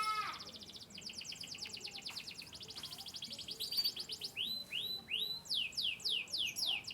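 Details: Chirping Yorkshire-descended canary, Turkish and US lineage: a long rapid rattling trill, then a series of spaced, looping rising-and-falling whistled notes.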